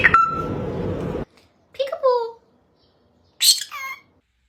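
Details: Talking pet parrot giving two short voice-like utterances with harmonic, falling tones, separated by silence. A second of broadband noise with a steady whistled tone comes first.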